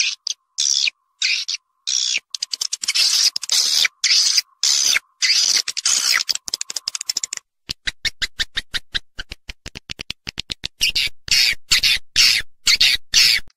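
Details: Swiftlets in Vietnam give dense, hissing, high chirps, then a fast run of sharp clicking pulses that keep speeding up and slowing down.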